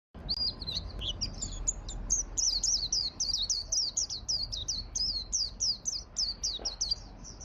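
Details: White-eye of the 'ngalas' type singing 'gacor' style, used as a lure and master song for training white-eyes: rapid high, thin chirped notes repeated about four per second in a long even string, with faint low background rumble.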